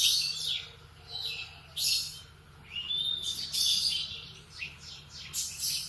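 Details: Canary in morning song, short bursts of high twittering phrases separated by brief pauses, with sweeping whistled notes between bursts.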